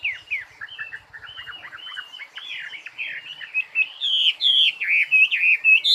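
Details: Bird delivering a rambling song: soft twittering notes at first, then louder slurred whistles and bright, sharp notes that grow stronger toward the end, with faint low ticking early on.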